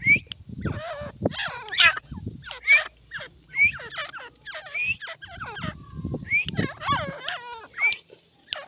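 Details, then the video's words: Irani partridge calling with a rapid, irregular series of short hooked and down-slurred notes, some rising whistled squeaks, about once per second, over low muffled thumps and rustling. "irani teetar ki awaz❤❤ irani teetar ki voice"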